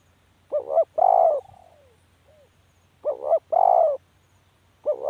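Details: Spotted dove repeating its hollow phrase about every two and a half seconds. A quick paired note is followed by a long coo that trails off softly, and a third phrase begins at the end.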